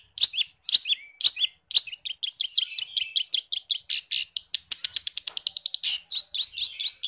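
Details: Long-tailed shrike in full, lively song rich with forest-bird imitations, used to train caged shrikes: paired high chirps give way to a fast rattling run of dense repeated notes, then louder scratchy bursts.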